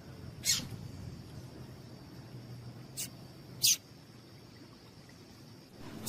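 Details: Female Double-collared Seedeater calling to make a male sing. Three sparse, short, sharp high chips, the last loudest, over a noticeable low hum and a faint steady high whine.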